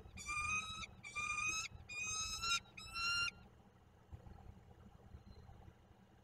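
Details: Four drawn-out grating calls from a peregrine falcon at its Koszalin nest in Poland, 15 March 2022, delivered in quick succession before falling quiet, leaving low background hum.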